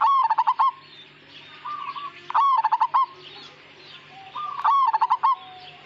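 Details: Zebra dove, Majapahit perkutut strain, in energetic song: three bursts of quick, staccato coos about two seconds apart, separated by quieter brief coo phrases and a steady low background hum.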